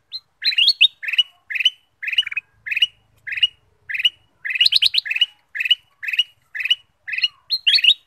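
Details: Ruby-throated bulbul singing a lure song for other birds: a long, regular series of short rich warbled phrases, about two per second, clear against a quiet background.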